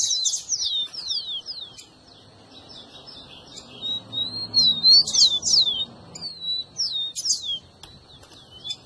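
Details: Rufous-collared sparrow song played to warm up a pet bird and get it singing: rapid, high, sharply slurred whistles, mostly falling, dense and overlapping, with short buzzy bursts and a steady faint high tone.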